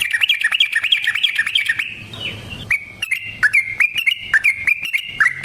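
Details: Yellow-vented bulbul delivering an energetic long-roll song used as a lure for trapping and for prompting other birds to answer: quick chattering notes, a brief soft rustling pause near the middle, then the bright chirping run resumes.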